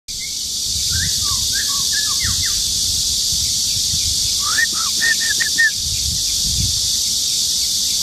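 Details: A male white-rumped shama sings two bursts of short, clear whistled notes, some rising, some dropping, over the loud, steady high buzz of cicadas, at Luodishan Nature Park, Mituo, Kaohsiung, Taiwan, 13 June 2018.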